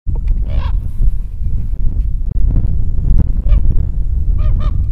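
A common raven gives three hoarse, nasal calls from overhead, spaced unevenly, over a steady low roar of wind.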